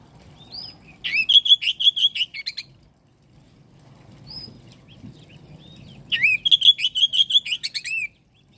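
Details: Oriental magpie-robin, a kacer meant to prompt other kacer to answer, delivering two loud phrases of rapid, rhythmic bright notes opening with a rising whistle, separated by a pause with faint thin calls.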